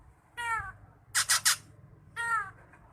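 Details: Drongo calling, offered as a training model for songbirds; two nasal, harmonic-rich drawn notes frame a cluster of three harsh, rasping bursts, with quiet gaps between.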